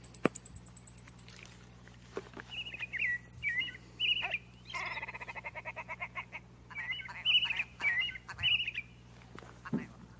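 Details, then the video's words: Thrush from the USA singing varied short warbled phrases around the middle pitch range, broken by pauses, with a rapid high trill at the start and a steady low hum underneath. "kicauan anis USA"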